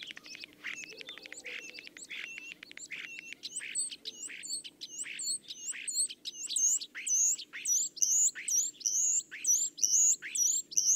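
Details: Common Starling singing a fast run of clicking, rattling notes that builds into rapidly repeated high whistled phrases, about two per second, growing louder toward the end.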